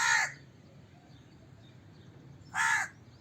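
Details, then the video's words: A pair of hoarse crow caws, about two and a half seconds apart, separated by near silence. "Crow Cawing Sound Effect, Voice of Crow, Crow Call Sounds, Crow Calling Sound, Crow Caw, Crow Bird"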